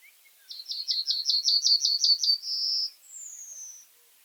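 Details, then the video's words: Common reed bunting song: about ten short, clipped high notes in a rapid, even series, then a drawn-out buzzy note and a thin, higher whistle that slides downward. The background is otherwise quiet. "Как поёт Тростниковая овсянка (Emberiza schoeniclus)"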